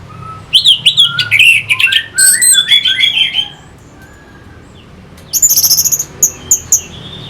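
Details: Orange-headed thrush from North Bali, Singaraja, used as a lure to rouse fighting birds: bursts of sweet, rapid, varied high notes and warbles, a quiet gap, then sharp repeated high chips near the end.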